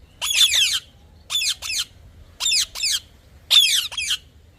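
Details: Parrot uttering rough, buzzy squawks, a long strained one followed by pairs of shorter harsh notes, in an otherwise quiet setting.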